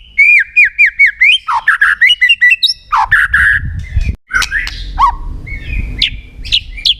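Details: White-rumped shama in full song, used to prompt other shamas to sing: a fast series of repeated downslurred whistles, then varied harsh squawks and rich notes, with some low background rumble.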